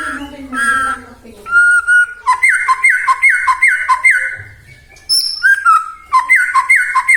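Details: Lure song of a white-rumped shama meant to spur other shamas to sing: a held whistle followed by a fast series of repeated downslurred notes, about two per second, a pause, then the same repeating pattern again.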